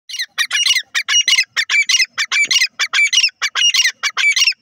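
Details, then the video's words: Francolin, locally called teetar, giving loud harsh rasping notes in a rapid run, about sixteen short bursts in under five seconds, grating and squawky, repeated almost without pause. "pheasant teetar bird awaaz"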